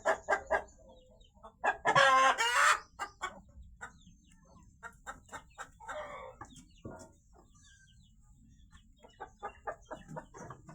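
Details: Farm chickens cackle loudly after a hen has apparently laid two eggs, with a harsh squawking burst among quick, repeated clucks, about two per second; a person talks nearby.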